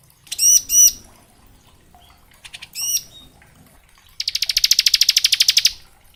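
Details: Bar-winged prinia song in the ngebren style, used to train young prinias: a few paired looping chirps, a pause, then a long fast trill of dense high notes lasting about one and a half seconds.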